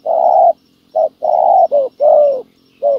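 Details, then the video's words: Spotted dove calling at a ground decoy trap set for wild doves: long, smooth hollow coos alternating with short clipped notes, delivered close and loud. "bẩy cu gáy mồi đất hay..gặp bổi đồng gù khá tốt"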